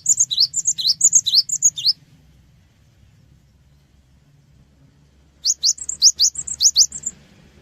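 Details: Lure song of the cinereous tit (gelatik batu) played to draw other birds to respond; two bursts of high rising chirps and thin whistles separated by several seconds of quiet with low hum.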